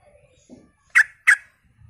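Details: Energetic Sooty-headed bulbul heard as a lure for other bulbuls: a brief low murmur, then two strong, slightly harsh chirps spaced about a third of a second apart, with a faint rumble afterwards.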